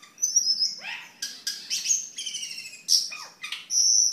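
Cucak keling sings a lively mix of high, clear whistles and swooping slurs that dip low and rise again, ending in a steady, piercing whistle.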